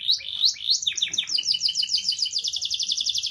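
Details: Canary song played to prompt a canary that has stopped singing: quick rising chirps leading into sharp downward sweeps, then an even, rapid rolling trill.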